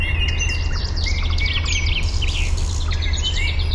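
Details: Eurasian penduline tit gathering nest material for a nest still only a ring high in a birch at Fysingen, Uppland, Sweden, recorded with a parabolic microphone; thin drawn-out whistles among busy chirping of other birds over a steady low hum.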